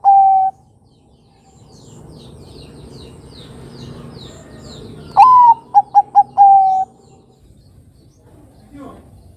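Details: Lure song of a Bangkok-type zebra dove for young birds to imitate: after a quiet stretch with high chirps from other birds, one full phrase rings out, a rising coo, three rapid short notes and a long even final coo.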